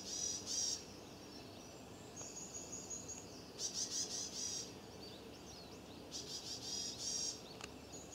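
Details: Persistent alarm from a Varied tit with nest material in its beak, moving around a stone lantern near a possible nest: three separate bouts of rapid, high buzzy notes, with quiet gaps between.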